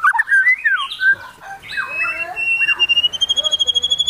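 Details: Excited white-rumped shama in full, continuous song with showy fill phrases: looping whistled slurs and scratchy notes give way to a long, even whistle that breaks into rapid, evenly repeated notes, about three per second.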